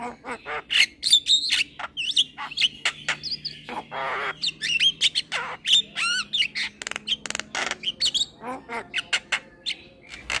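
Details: Young male black-winged starling, a caged bird singing tirelessly while bobbing its head, recorded as a master for training other cage birds: a busy run of harsh squawks, sharp chips and short bent whistles, almost without pause.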